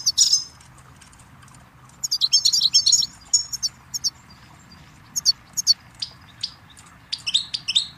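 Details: Goldfinch song for teaching chicks and songbirds, here more broken up: a twittering burst, then a dense tinkling run, followed by scattered single sharp chirps and a closing twitter, over steady background hiss.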